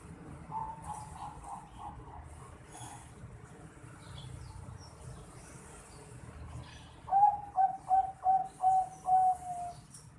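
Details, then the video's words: Young Bangkok-strain zebra dove aged four and a half months. After seven seconds of low rumbling background noise, it calls six short, loud, even coo notes in a quick regular run. "Suara Teriakan Piyek Burung Perkutut Bangkok Umur 4,5 Bulan"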